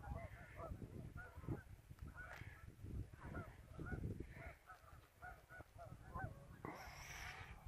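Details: Geese on a river in the afternoon, repeated short honks from several birds in quick irregular succession over heavy low-pitched rumble, ending with a brighter burst of noise.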